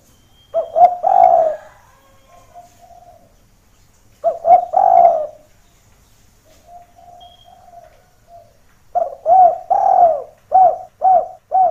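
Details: Lure recording of a vigorously calling spotted dove, meant to bring listening doves down toward a rival. Three bouts of throaty, mid-pitched coos; soft prolonged coos fill the gaps, and the last bout has five quick notes.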